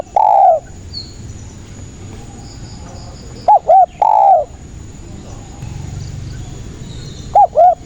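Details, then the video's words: Spotted dove song used as a lure for catching doves: a long falling croo, then a pair of short coos and another croo, repeated a few seconds apart over faint hiss. "SUARA BURUNG TEKUKUR GACOR INI PALING AMPUH UNTUK PANCINGAN DAN PIKAT DERKUKU MALAS BUNYI"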